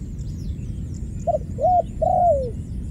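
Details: After a quiet start a single dove phrase stands out clearly: a short low hoot, a rounded second coo and a long smooth croon sinking in pitch, with only faint high bird chirps and soft rumble behind.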